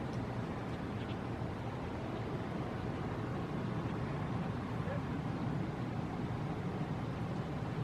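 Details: Steady engine and traffic rumble with faint voices runs throughout, and no animal call stands out.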